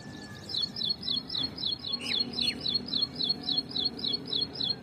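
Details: Ashy prinia song from a tree: a steady string of high chirping notes, roughly four each second, continuing throughout, with a couple of lower downslurred notes from another bird in the middle.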